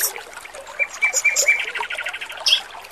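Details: Male oriental magpie-robin song for training, with trickling water. A run of clear, level whistled notes, then a buzzy rattling phrase and a short high flourish over busy babbling water.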